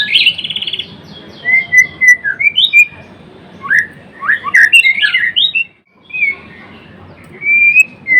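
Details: Vigorous gacor singing by a white-rumped shama, Blorok type: a buzzy trilled opening, then sustained whistles and tumbling varied notes, a short pause, and a long thin whistle.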